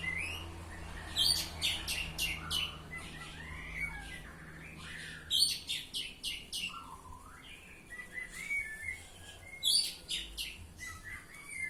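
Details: Ngeplong-style song of an Oriental magpie-robin (kacer): rapid clusters of sharp chirps repeated every few seconds, mixed with lower slurred whistles, against a quiet humming background.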